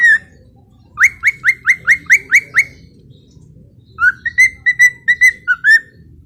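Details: Cockatiel (Nymphicus hollandicus), whistle.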